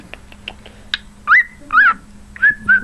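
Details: Upswept whistled notes from a pet cockatiel known for wolf whistling and mimicking Jingle Bells: a few soft clicks, then four loud slurred whistles, each rising and then holding a steady tone, with a person's speech faintly underneath.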